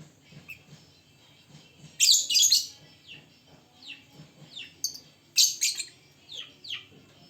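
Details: Lovebirds all in vigorous song: dense, scratchy high-pitched chattering bursts mixed with quick descending chirps and softer twitters, several birds calling at once.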